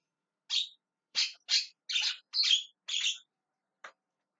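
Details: Javan myna calling with six harsh, scratchy squawks spaced about half a second apart, followed by one short sharp click.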